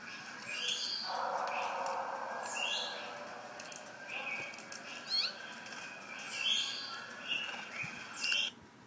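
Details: A pair of green jays trade harsh, rasping calls and short nasal notes, spaced irregularly about a second apart, over a steady background hiss.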